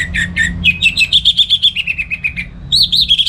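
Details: Orange-headed thrush, a kept songbird, singing in the morning in North Bali, Singaraja, as a model for training other songbirds: a rapid run of bright chirps near one pitch, then higher rising and falling whistled notes.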